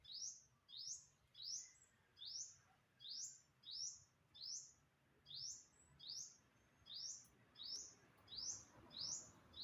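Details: Bird of unknown species recorded September 27, 2022: a long, regular run of about fourteen high, rising chirps, evenly spaced roughly every two-thirds of a second, in a quiet setting.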